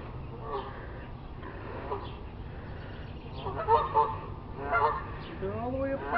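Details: Several geese up on a neighbouring rooftop, out of sight behind a tree, giving rough honks that grow into a cluster of overlapping calls, with one rising call at the end and a faint low hum.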